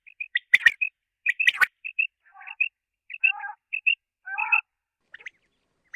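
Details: Common quail, known locally as batair, calling: short, bright notes in quick clusters, with a few lower, rougher bursts and sharp clicking noises in between.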